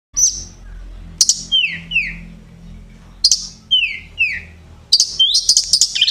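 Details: White-rumped shama song prepared as a training recording for contest birds: loud clear whistled phrases, paired downward-sliding notes repeated twice, and a closing burst of rapid sharp high notes, with a low hum beneath.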